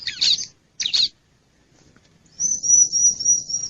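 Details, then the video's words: Lure sound of wild bar-winged prinia: two short bursts of harsh high chirps, a pause, then a high, thin wavering trill. "Suara Pikat Ciblek Liar"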